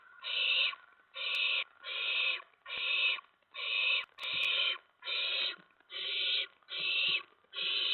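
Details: Owlets calling at night in their nest on 10 September 2017, parents delivering mice and a rat; ten rasping, hoarse hisses at a fairly even pace near one per second, faint thumps behind.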